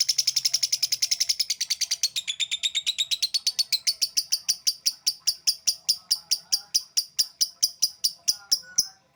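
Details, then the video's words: Lovebird in an extended ngekek song: a very rapid, buzzy chatter that gradually slows into evenly spaced, sharp, squeaky notes repeated without a break. "LOVEBIRD LADOT NGEKEK DURASI"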